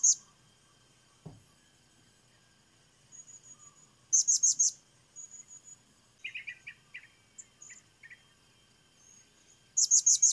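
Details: Blue-crowned hanging parrot giving bursts of very high, thin, sharp notes in quick groups of three or four, separated by pauses, with a softer run of lower chirps in the middle and a low thump near the start.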